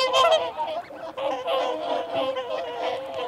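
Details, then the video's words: Feeding and territorial calling from a group of whooper swans: a continuous, blurred wall of nasal honking, loudest at the start, with wigeon and mute swans sharing the recording. "Whooper Swan. Feeding Calls & Territorial Calls"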